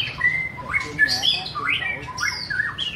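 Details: White-rumped shama singing loudly and clearly: sweet sustained whistles alternate with rising and falling slurs and brief chirps, a rich, melodic run of separate phrases with little background noise.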